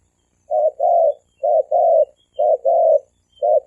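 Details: Spotted doves, male and female, in thổ kim cooing meant to provoke wild doves: evenly spaced low double coos, a brief note then a longer hoot, repeated roughly once a second, faint high chirps behind.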